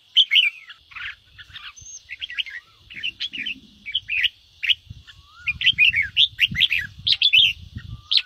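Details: Red-whiskered bulbul singing in the ché style, used to stimulate caged and newly caught birds to sing: quick warbled, chirpy phrases with bright rising and falling notes, in bursts with short gaps, over a faint low rumble.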